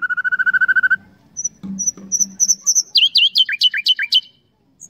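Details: Common nightingale song: a fast run of repeated mid-pitched notes, then a pause, thin high whistles over a low hum, and a burst of loud, sharply falling slurred notes.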